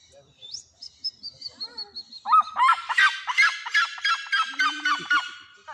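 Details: A captive red-legged seriema at Bridlington Animal Park, Yorkshire, prompted by its handler's whistle, gives its loud alarm call: a run of harsh yelping notes, about three a second, after a few softer whistled notes, throwing its head back; a person speaks near the end.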